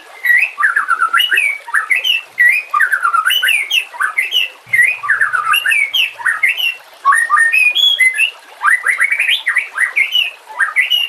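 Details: White-rumped shama song for tutoring other birds, with a low water background. Long continuous stretches of loud looping whistles rise and fall in varied melodic phrases, broken by short pauses.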